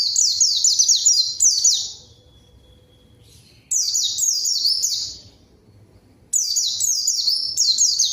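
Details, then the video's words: A rival-calling lure of white-eye song meant to make silent birds sing, with three bursts of rapid high-pitched slurred twitters separated by quiet gaps, plus a faint thin whistle during one pause. "PANCINGAN PLECI GACOR MANGGIL LAWAN COCOK UNTUK PLECI DIAM AGAR CEPAT BUNYI DAN GACOR"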